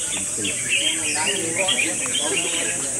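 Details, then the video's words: Red-whiskered bulbuls in a singing contest, second round: bright, choppy whistled notes and short chattering phrases overlap from several birds, with murmuring human voices underneath. "Best Red Whiskered Bulbul Singing Battle Round 2"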